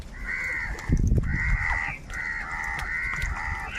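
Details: Crows in a huge flock, fighting for food, give harsh, drawn-out harmonic caws in overlapping bursts of about half a second, with a low rumble of background noise underneath.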